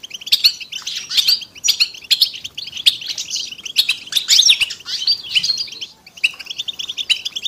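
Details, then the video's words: A flock of European goldfinches in a group song used to bring silent males back to singing, with continuous liquid twittering and sharp high chirps, packed bursts, and a short lull near the end. "بتبتة وستستة الحسون علاج صمت الحسون بتبتة حسون جماعية تساعد على التغريد"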